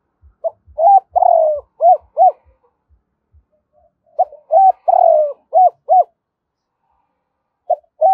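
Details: Spotted dove decoy cooing in the morning in a double-ending style: two full phrases of deep, gentle coos ending in short paired notes, preceded by faint low taps, then a third phrase beginning.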